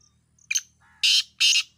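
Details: Black francolin giving a harsh rasping call: a short scratchy note followed by two loud broad grating bursts, with a faint high whistle before and after.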